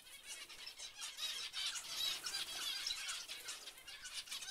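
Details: A dense group of zebra finches giving nasal honking calls and buzzy rattles, overlapping continuously.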